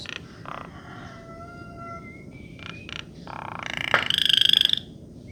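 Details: Bird with a melodious voice giving clear, drawn-out whistled notes at several steady pitches, some rising, then a loud buzzy burst and a high ringing trill near the end, over a low steady background rumble.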